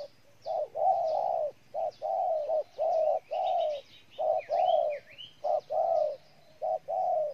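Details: Spotted dove from Ninh Thuận, Vietnam, giving loud, low, hollow coos in grouped phrases of two or three notes, short pauses between bursts; faint twittering of small birds overhead.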